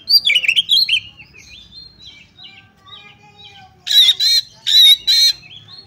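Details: Oriental magpie-robin, a female calling a male to excite other males; a quick run of varied whistles and chirps fades into soft notes, followed by three loud harsh rasping bursts.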